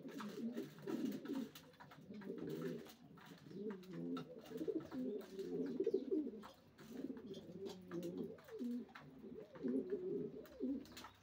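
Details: Racing pigeons in a loft giving dense overlapping low coos throughout, pulsing in bursts with sharp clicks between.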